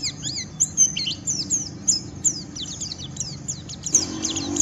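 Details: Rough ngeriwik from a white-eye, used to draw other white-eyes into song: quick run of high, sharp chirps and slurred notes, briefly thinning then resuming densely, with a low background hum.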